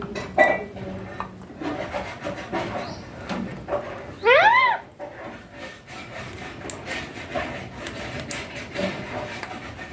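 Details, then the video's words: Pet baby Indian ringneck parakeet, green, said to be talking: one brief upward-sweeping harmonic call near the middle, with a smaller click-like note early on and low household background noise throughout. "My Indian ringneck green baby parrot talking beautiful"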